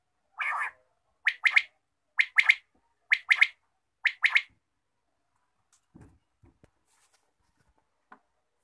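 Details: Quail calling in the morning: a single note, then five sharp double notes, one pair about every second, followed by silence broken by a few faint knocks.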